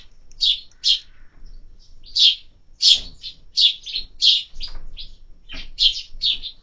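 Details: Sparrows at a summer feeder chirp in short high bursts, some paired, spaced irregularly over a few seconds with soft low thuds beneath.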